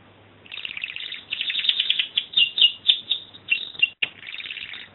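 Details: A canary sings a rapid, high warbling run of trills and chirps, packed tightly with only brief pauses, bright and continuous throughout.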